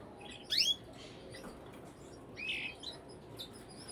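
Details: Brambling calls: a strong, steeply falling chirp at half a second, then a shorter, buzzier note around two and a half seconds, with faint twittering between.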